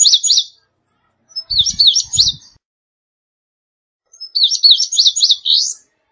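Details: Indigo bunting song heard in three bursts of high, doubled slurred notes, with a couple of low dull thumps under the middle phrase.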